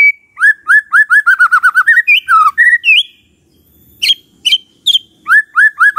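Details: White-rumped shama in lively song that prompts other shamas to reply; a rapid series of repeated rising whistled notes, some twisting phrases, a short pause, then high sharp whistles and the rising series again.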